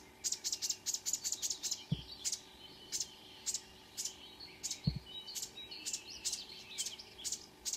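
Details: Marsh warbler near Ski, Norway, singing at five in the morning, 2 June 2009: fast series of buzzy chipping notes, then evenly spaced harsh buzzes with short trills between, two low knocks in the background.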